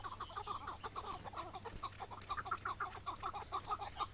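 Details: Iraqi-type chukar partridge, wild, in May 2017 mating season on a morning during capture: fast, uneven clusters of rasping chuk-chuk notes, several per second, continuing throughout, above a low droning hum.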